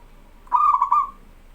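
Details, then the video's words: A single song phrase from a local zebra dove in strong voice, kept as a tutor for young birds: three or four quick pulsing coos flowing into a smooth, fading trill-like tail. "BURUNG PERKUTUT LOKAL GACOR SUARA AMPUH"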